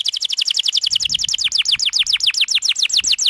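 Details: Canary 'gacor' song for young birds learning: an unbroken rapid trill of high downslurred notes, roughly five per second, gradually spacing out slightly toward the end.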